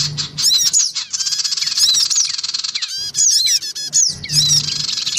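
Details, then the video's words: Black-winged cuckooshrike lure calls, male, female and young: raspy continuous chatter with sharp upslurred chirps and a rapid pulsed stretch near the middle, with a soft low hum. "mp3 suara pikat sogon ribut. dan anak sogon"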